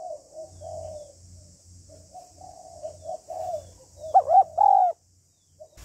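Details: Female spotted dove's 'hạp bổi' stimulation call: a long series of soft, muffled coos over a pulsing low hum, ending in a sudden loud, clear double coo before silence.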